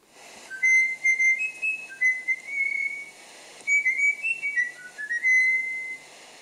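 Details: A Eurasian Bullfinch kept in a cage pipes the folk tune "Hoch droben auf dem Berge", which a bird researcher whistled to it for months. Pure, flute-like whistled notes step up and down over two phrases.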